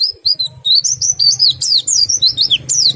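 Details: Oriental white-eye song in the meriwik, ngerol and nembak styles, used to stimulate other white-eyes to sing: an unbroken run of high, thin, rapidly slurred twittering notes, many sweeping downward, over a faint low hum.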